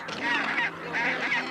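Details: Gentoo penguin (Pygoscelis papua) at a breeding colony in Antarctica in December 2024, at the start of nesting season, gives two loud, harsh, honking trumpeting brays in quick succession over a faint hum; the call bonds it with its breeding partner.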